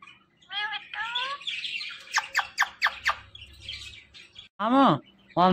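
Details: A five-year-old pet talking parrot, said to say "Mittu Mittu", gives harsh squawks and clicking notes, then loud arched harmonic calls with a speech-like tone; a low hum runs underneath.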